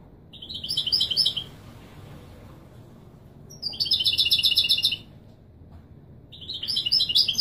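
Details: European goldfinch singing in the authentic Marrakech Widani style, used to teach young birds to sing: bright, high twittering trills in bursts of about one second, separated by short pauses, over a low steady hum.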